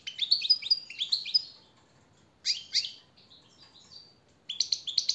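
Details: Captive European goldfinch training song: three short bursts of bright, clipped twittering notes, each lasting about a second, separated by quiet pauses, with a faint low hiss beneath.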